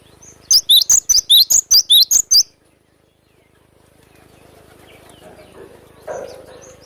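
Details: A cinereous tit in the wild sings a sharp 'besetan' burst: about nine shrill whistled notes, alternating high and lower pitches, delivered quickly over two seconds. Then quiet background with a soft low thump near the end.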